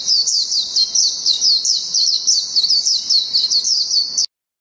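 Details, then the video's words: Japanese white-eye singing in the long 'ngalas panjang' style: a continuous, rapid, high-pitched twittering of thin, tumbling chirps and trills that runs unbroken for about four seconds, then stops abruptly. "PLECI NGALAS JAPAN NGALAS PANJANG"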